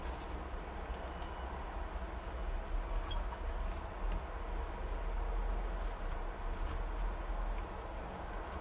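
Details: Steady low rumble of machinery or passing traffic, with no animal voice.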